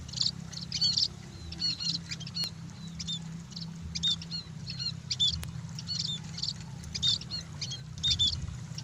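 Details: High, scratchy chirps mixed with sharp little whistles from a scaly-breasted munia basking in the sun, in clustered bursts about every second, with a constant low droning hum behind.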